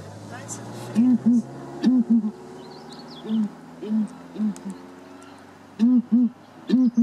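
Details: Southern ground hornbills in Kruger National Park exchanging calls: resonant, low, hollow booms in pairs, with quieter answering hoots between the louder doubled notes. A faint constant drone lies underneath.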